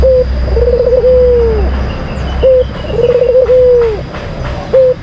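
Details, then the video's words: White collared dove lure song, a kept bird of the kind entered in singing contests: a short clipped note, then a rolling trilled coo sliding down at the end, repeated about every two seconds over a steady high background hum. "Pancingan Puter Putih Terampuh , Full Gacor"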